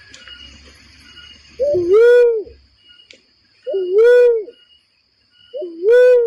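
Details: Barred cuckoo-dove call played as a bird-trapping lure: a low rumble and faint hiss fade out, then three hollow two-part whoops, a dipping lead-in and an arched main note, about two seconds apart.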